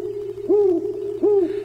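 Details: A female Great Horned Owl gives two deep, soft hoots about three-quarters of a second apart, each swelling and falling, over a steady low hum; males hoot higher and pairs duet in winter, their breeding season.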